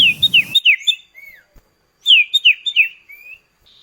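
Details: Common iora duet used as a lure to set kept birds singing, with a sharp, clear voice. Quick downslurred whistles repeat in two bursts of four or five, each burst ending in a soft rising note. A low rumble is audible at the start.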